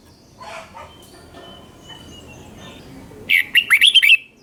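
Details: Red-whiskered bulbul from Thailand, caged, singing southern master-style phrasing played to stir other birds: faint, quiet sounds at first, then one loud quick phrase of about six clear, slurred whistled notes near the end.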